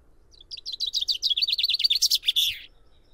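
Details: Common chaffinch singing: a loud, fast series of bright chipping notes, about two seconds long, that speeds up, drops slightly in pitch, and ends in a short flourish, with a quiet background.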